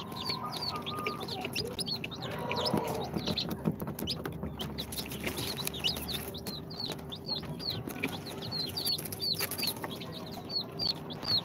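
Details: Second-day incubator-hatched chicks, Sultan, Golden Sebright, Cochin and booted, cheeping continuously: many shrill downslurred peeps from several birds at once, dense and overlapping, over a faint electrical hum.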